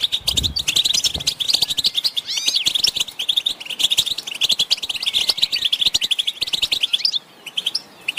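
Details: Group of European goldfinches giving twittering song and mating calls meant to spur males into singing; a steady stream of fast, bright chirps and liquid trills with a few rising slurred notes, tapering off near the end.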